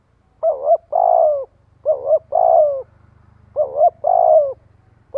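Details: Spotted dove cooing to attract and gather a flock: three full phrases, each a brief two-note coo then a longer drawn, slightly falling coo, about every one and a half seconds, faint low hum beneath.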